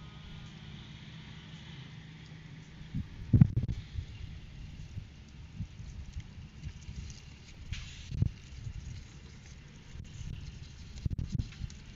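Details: Only a low, steady rumble with a few dull thumps and bumps is heard; no calls come through.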